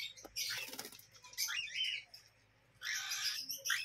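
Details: Cockatiel (Nymphicus hollandicus) chicks, including Albino chicks, give harsh, raspy bursts of noisy sound with a few thin, higher squeaky notes.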